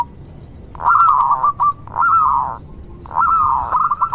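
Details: Zebra dove of a local strain, kept as a lure to get quiet zebra doves singing, gives three rolling, slightly wavering coo phrases, each about a second long, separated by short pauses.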